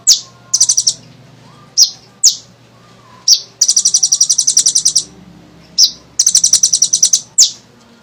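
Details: Sunbird (kolibri ninja) in full lively song, used as a lure to prompt other birds to sing: quick bursts of high rattling trills separated by sharp, descending single chips, all crisp and loud.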